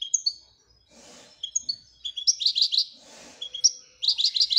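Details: European goldfinch twittering song: high whistled notes and quick chirp runs, broken twice by a soft rustling thump.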